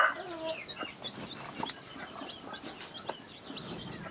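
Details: Farmyard hen with young chicks: many thin, high peeping calls from the chicks overlap with occasional low clucks from the hen.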